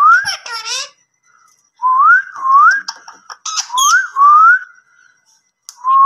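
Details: Indian ringneck parakeet, a green parrot, giving clear rising whistles repeated every second or so. Short raspy squawks and clicks break in between the whistled phrases.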